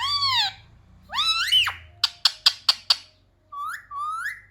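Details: Pet parrot imitating "mummy papa": two long arched nasal notes, then five sharp evenly spaced clicks, ending in two short rising whistled syllables over a low background rumble.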